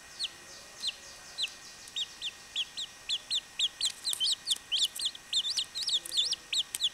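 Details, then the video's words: Chachalaca chicks peeping: sharp, high, downslurred notes that start sparse and grow denser and louder. Several overlapping peeps form quick rising-and-falling chirps toward the end. "CHACHALACAS BEBE"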